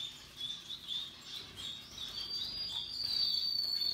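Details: Russian yellow canaries and Timbrado canaries singing happily: rapid, high trills and chirps around a steady pitch, ending in a long bright whistled note, with other birds chirping softly behind.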